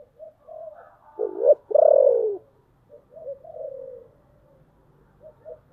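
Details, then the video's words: Spotted dove used as a decoy to lure wild birds, with a deep voice: soft low cooing, then a loud hooked note and a longer descending coo, followed by quieter trailing coos. "tiếng kêu của chim cu gáy âm thanh rất chuẩn để kích bổi/ Tiếng Chim Cu Mồi Gáy Gọi Ồm Ồm"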